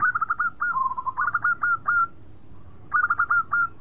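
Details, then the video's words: Melodious, prolific song of a local zebra dove that reportedly gets other birds singing. Quick runs of clipped, bubbling coos come in two phrases, each ending in longer drawn notes, and a short pause separates them. "Perkutut Lokal Gacor Suara Merdu bikin yg lain bunyi"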